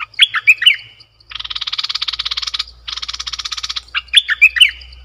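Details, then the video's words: Caged bulbul kept as a decoy bird, recorded 18 December 2021: short, bright whistled phrases at the start and end frame a long stretch of loud, rapidly pulsed buzzing from another creature. "เสียงนกดอกแตงEp.93 Birds sounds #นกต่อเจ้าเพชร Suara merbah lekir"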